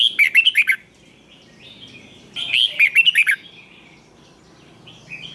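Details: Red-whiskered bulbul performing fired-up competition song with a twisted voice, played to train and provoke other bulbuls: two rapid warbled phrases about two seconds apart, soft twittering in between.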